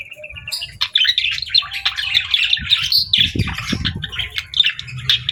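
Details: Happy pet budgerigar chirping: a short steady whistled note, then quick, bright, twittering warbles and chirps, with low rumbling noises around the middle.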